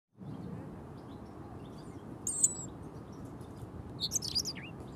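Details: European robin (Erithacus rubecula), up close, gives two brief, high, thin song phrases of twittering and down-slurred notes against a steady low background rumble.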